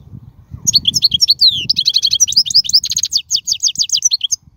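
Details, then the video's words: Wild European goldfinch, khalwi-style song used to train young birds and stimulate singing: a continuous run of rapid, liquid, high twittering with fast trills and slurred notes, over a faint low rumble. "من أقوى اغاني | طائر الحسون | البرية"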